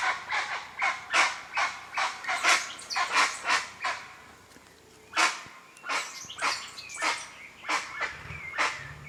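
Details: Recorded in nature, a guan repeats gruff, bark-like honks in quick succession, falls silent briefly, then resumes with spaced calls; soft whistling from another bird is heard.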